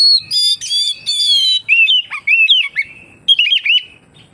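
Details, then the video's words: Oriental magpie-robin singing, used as a lure to draw other magpie-robins into song: clear ringing whistles with rich harmonics, then quick wavering slurred notes and twittering phrases separated by brief gaps. "suara burung kacer untuk penarik / pancingan kacer gacor santai"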